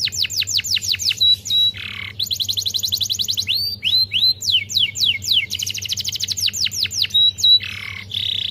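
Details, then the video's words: Domestic canary in a long, non-stop 'gacor' song of the 'kereta api' (train) duration style, played as a lure to prompt silent canaries to sing. Rapid trills of repeated down-slurred high notes alternate with buzzy rolls and brief whistles over a steady low hum. "Gacor durasi kereta api | Pancingan efektif kenari macet"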